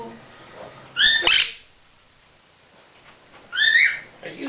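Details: Caged pet Quaker parrot gives two short, harsh, rising chirps about two and a half seconds apart, with a soft whistled tone and faint room sounds in between.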